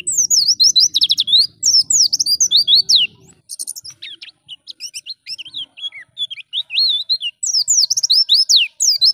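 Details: Oriental white-eye, pleci ngalas, sung as a training lure for caged birds: dense runs of shrill, fast down-slurred notes come in repeated bursts. Looser, wandering twitters sit between the bursts. A faint low rumble is heard early on.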